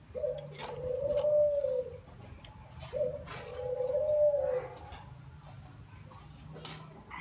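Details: Young caged spotted dove of Ý Yên stock in Vietnam gives two drawn-out, mid-pitched, slightly falling coos about three seconds apart. Clicks and tapping sound in a noisy room.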